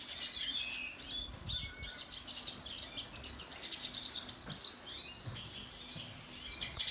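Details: Several siskins, females and young of different species, call in an outdoor aviary: overlapping high, squeaky twitters and buzzy trills, with a few soft low thuds in the background.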